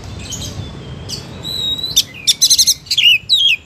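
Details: Oriental magpie-robin (kacer) singing "gacor": a thin drawn-out whistle, then a quick stuttering burst of buzzy notes and two falling slurs, over a rumbling background.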